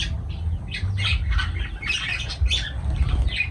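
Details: Pet lovebirds calling: shrill, scratchy chirps and squawks in quick irregular bursts over a steady low hum.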